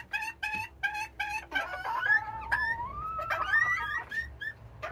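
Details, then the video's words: Noisy Serama bantam hens waiting for their morning let-out; several short harmonic squawks, then a long, rising and falling whining call with other hens chiming in over it. "Hens Noisy Morning Routine Today! | Noisy Hens"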